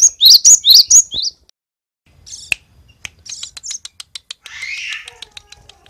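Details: Cinereous tit (gelatik batu) from Roban, Subah, Batang, singing a richly filled song: a fast run of high, bouncing chirped notes, then scattered clicks, short twitters and a harsh rasping burst.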